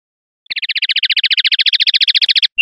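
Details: {'text': "Common linnet, clean 'limpio' song from a 2021/2022 collection: one rapid, steady rattle of chirps at roughly fourteen per second, held for two seconds, ending in a brief high note. No background noise."}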